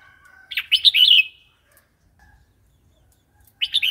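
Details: Red-whiskered bulbul in wild song style, a recording for training young and wild-caught birds: a faint thin whistle leads into a loud, bubbly rolling phrase, and another phrase begins at the end.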